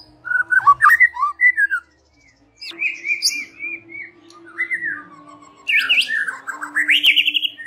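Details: White-rumped shama evening lure song: sweet whistled phrases with slurred notes and short gaps, ending in loud rising trilled sweeps.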